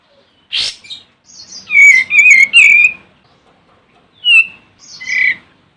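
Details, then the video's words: Olive-winged bulbul singing to call a rival: a burst of rich, warbling whistled notes around the middle, with shorter slurred phrases and a sharp harsh note before it. "Suara Burung Kapas Tembak Manggil Lawan"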